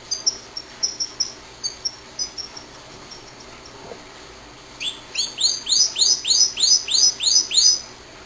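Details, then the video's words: A pet canary singing, opening with soft, evenly spaced high chips, then breaking into a loud run of about nine repeated swooping notes, each sliding downward, in quick succession. "Canario cantando/Canary singing"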